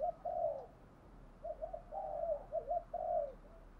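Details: Decoy spotted dove giving soft thúc gù coos, a string of mellow falling notes heard through constant background hiss and low hum.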